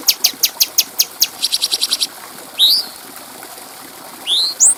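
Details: Cucak cungko bulbul sung clearly to train other birds: a run of high clicking ticks speeding into a short rattle, then two separate bright upslurred whistles after a pause.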